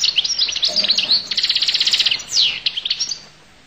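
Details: Goldfinch of the Collo (al-Qull) type in continuous song: tinkling twitters, a fast buzzy trill of evenly repeated notes in the middle, then a sweeping downward slur and more chirps, with a faint low hum.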